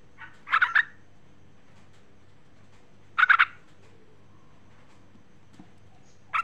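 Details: Female sooty-headed bulbul calling to the male: two short bubbly phrases of three to four quick notes each, about two and a half seconds apart, with a faint low hum underneath.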